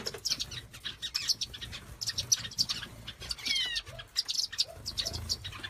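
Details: Several small birds chirping in a relaxing outdoor scene, with dense high, quick twittering notes and short descending whistles repeated throughout, plus soft low background rumble.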